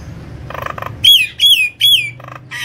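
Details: Lure recording of a vigorously singing Nias hill myna: soft nasal buzzes, then three loud, pure, arching whistles that rise and fall, ending with more buzzy notes.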